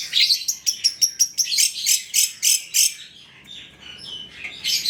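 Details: Rasping, scratchy bursts from a long-tailed shrike (cendet trotol), played to coax other shrikes to sing. A fast series of about nine evenly spaced harsh notes, then a quieter pause and another harsh burst.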